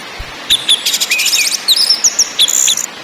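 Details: Orange-headed thrush song used as a lure to set caged birds singing, in the ngakrak, ngeplong and nyiul styles: high buzzy rattles, then sliding whistled notes and sharp rising chips in quick, varied succession.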